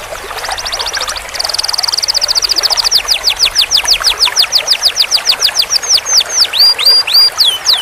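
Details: Canary master song for teaching young birds a long roll: a fast buzzy trill held steady, then slower repeated downslurred whistles, ending in rising and falling swoops, over light background hiss.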